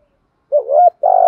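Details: Male and female spotted doves in the 'thổ thúc gù' song style, used to rouse training birds: a wavering coo followed by the start of a long, steady, buzzy note; clean and loud.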